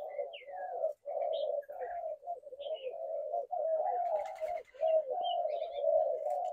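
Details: Spotted doves cooing: low, hoarse coos that follow one another almost without pause, in short phrases of about half a second to a second, with a few faint higher chirps and squeaks from other small birds over the top.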